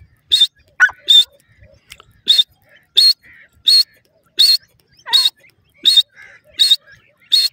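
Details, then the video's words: Grey francolin calling: loud, harsh, shrill bursts repeated roughly every three-quarters of a second, about nine calls in a row, with faint soft squeaks and chatter between them and an otherwise quiet background. "dakhni teetar k boli,bhura teetar awaz, teetar sound"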